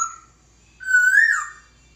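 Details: Laughingthrush master song for training birds, heard as one sustained clear whistle that swells, rises gently and falls away at the end.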